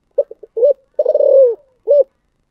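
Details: Spotted dove cooing in the thổ sấm style, a prized Vietnamese calling voice: a few short soft notes, a long rolling coo that trembles and drops, then one final rounded coo. Clean and quiet background.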